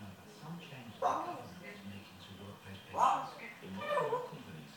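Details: African grey parrot swearing and talking in a yam yam accent: three short, voice-like bursts about one and two seconds apart, each a rough, word-like utterance, with a low hum underneath in an indoor setting.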